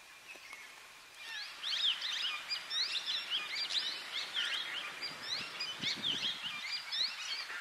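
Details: Several plum-headed parakeets in Corbett National Park, India, in November, giving a steady stream of shrill, squeaky, overlapping notes over faint background hiss.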